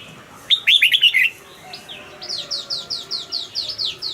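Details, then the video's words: Caged red-whiskered bulbul delivering a loud, bright warbled phrase of quick rising and falling notes, while a steady background series of thin downslurred whistles repeats about three times per second. "นกปรอดหัวจุก นกปรอดหัวจุก เสียงนกกรงหัวจุก"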